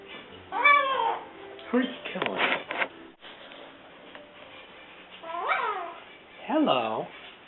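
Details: A 7-month-old male pet Eclectus parrot makes a few rising-and-falling, nasal, wavering attempts at saying "hello," about one a second, while a person repeats "hello" between them; the parrot is learning to talk.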